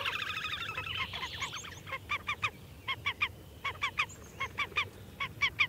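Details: Slavonian grebe: an opening nasal trill, then short sharp notes in quick pairs and triplets, repeated irregularly over several seconds against a soft background hiss.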